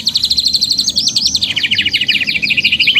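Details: Canary's loud, fast, rhythmic trilling: a very rapid high pulsed trill, then a brief sweeping whistle and a lower, equally quick rolling trill repeated steadily.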